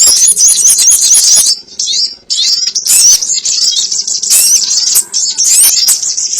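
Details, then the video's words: Sogon bird lure recording: sharp, high chatter and wavering squeaks, a dense burst at first, a quieter lull, then renewed overlapping twitters. "SUARA PIKAT BURUNG SOGON ONTONG"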